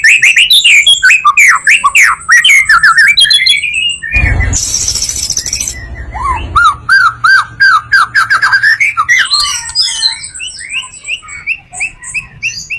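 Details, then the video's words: White-rumped shama singing full song to attract other shamas: fast chattering whistles, a burst of harsh rasping noise, then a run of repeated rising slurred notes and scattered high chips. "Murai batu full materi,cocok buat pancingan murai batu lainnya"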